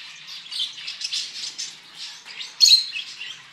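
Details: Finches at a bird farm give a dense, busy chorus of high chirps and twitters, overlapping continuously, with one louder sharp chirp near the end.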